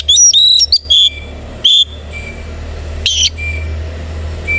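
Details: Oriental magpie-robin (kacer koci) singing in the morning, tail fanned: a loud, twisting burst of high whistles and chips, then short ringing notes and a faint thin whistle over a low steady hum.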